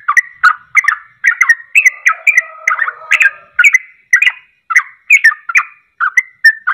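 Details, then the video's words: Sooty-headed bulbul in rapid-fire ropelan song used as a lure to provoke other birds into singing: a continuous string of short bubbly whistled phrases, about three per second, with a faint low warble midway. "Ropelan Trucuk Ini Ampuh Untuk Pancingan Langsung Pada Ikut Ropel"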